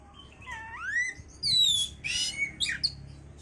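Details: Oriental magpie-robin song meant to bring a bird into breeding condition: a rising whistled slur, then a long descending clear whistle followed by harsh scratchy bursts and a sharp high note, with a quiet low background hum.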